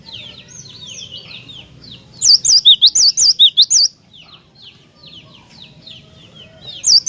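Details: Song of a cinereous tit in full voice, played to provoke rival tits: soft chirping from other birds, then a loud burst of about eleven looping, alternating whistles, then quieter chirps again.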